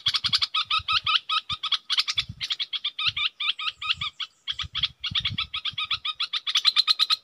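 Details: Red-whiskered bulbul used as a decoy, delivering a long fast series of looping chirped notes in dense runs with brief pauses, plus low thumping sounds underneath.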